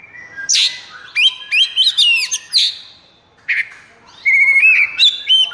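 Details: Singing Oriental magpie-robin in high breeding condition and agitation ('konslet'): rapid sequence of sharp upslurred whistles and harsh notes, a pause, then a steady whistled phrase with quick ornaments.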